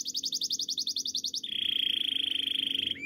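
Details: Canary training song: a run of evenly repeated bright chirping syllables, then an abrupt switch to a fast, level, buzzy rolling trill held for about a second and a half, ending in a short upward slur.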